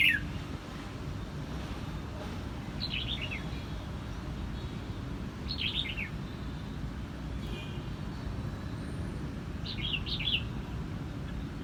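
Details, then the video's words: Red-whiskered bulbul singing in Quang Nam, Vietnam: three quiet, quick, descending warbled phrases several seconds apart, partly masked by strong low rumbling background noise. "Vietnam bird is singing!越南广南戴帽鸟之歌"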